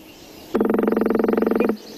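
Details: Northern Flicker drumming in Missouri, used to find mates and claim territory, often on something hollow and noisy. A steady, rapid roll of low, resonant knocks lasts about 1.2 seconds, with even spacing and no change in speed.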